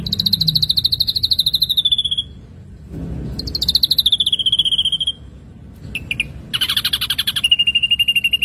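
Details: Energetic ashy drongo lure song: quick trills sliding downward in pitch, repeated after a gap, then short notes, a buzzy burst and a level rapid trill; faint low background noise.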